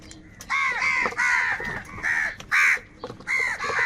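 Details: Food fight among angry crows, a run of six loud rasping caws in quick, uneven succession, each harsh and slightly downslurred, with faint clicks between them.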